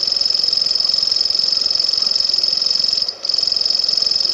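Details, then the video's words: Steady high-pitched reeling from a grasshopper warbler of genus Locustella, a rapid ticking trill sustained without change except one short break near the end. "Сверчок. Голоса птиц"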